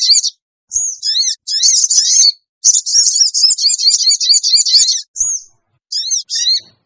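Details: Sooty-headed bulbul lure call, used to make wild birds gather quickly: loud, high, buzzy bursts of rapid chevron-shaped notes, some long and dense, some short, separated by brief silences, with a few thin whistles between.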